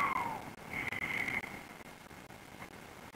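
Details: Approaching female tawny owl calling, recorded 3 May 2021 in the Łódź region of Poland, her calls provoking a firm reaction from a nearby bird. A thin falling whistled note is followed by a longer, steady, higher tone.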